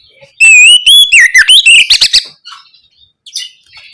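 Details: Oriental magpie-robin in ngeplong gacor style as a lure for young birds: a loud whistled phrase rising then tumbling into twisting notes and a fast chattering burst, followed by faint scratchy sounds.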